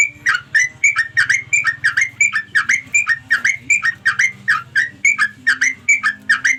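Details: Sooty-headed bulbul calling to companions: a steady run of short, bright, slurred notes repeated about three times a second, each dipping then rising, over a faint low hum.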